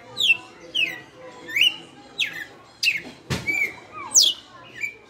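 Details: In açoite style, a red-cowled cardinal kept caged for five years repeats loud downward-sliding whistled notes, roughly every half second, broken once by a sharp click.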